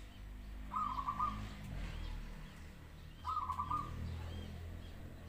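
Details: ['Zebra dove giving two bubbling, trilled coo phrases about two and a half seconds apart against a noticeable low rumbling background noise.']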